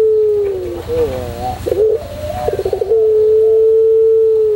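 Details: White puter pelung dove performing its song for training: wavering, bending notes and two rapid trilled bursts lead into a long, smooth, level low coo that fills the last half, with a faint hum behind.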